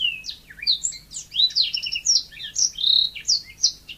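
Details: Yellow-fronted canary singing vigorously: dense, high, rapid warbling with swooping whistled notes and short trills throughout the four seconds, with no other sounds.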